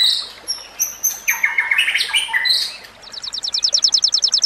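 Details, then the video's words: White-rumped shama singing, recorded for training other shamas: loud whistled and slurred phrases, then a rapid, very regular series of about a dozen high ringing notes at the end. "Masteran Murai Batu"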